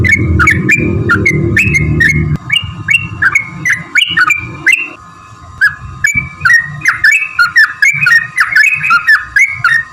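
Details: Sooty-headed bulbul lure song meant to provoke other birds into answering: a run of quick rising-and-falling whistled chirps, about two a second, with rumbling background noise in the first seconds and a constant low hum.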